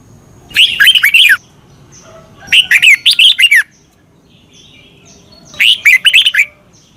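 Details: Red-whiskered bulbul song from Thailand, used to teach caged birds; three evenly spaced bursts of fast, bubbling whistled notes, each lasting under a second, with quiet between.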